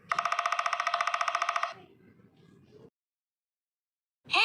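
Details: A fast, bright electric ringing like a telephone bell, then a soft low rumble, a pause, and the start of another tone.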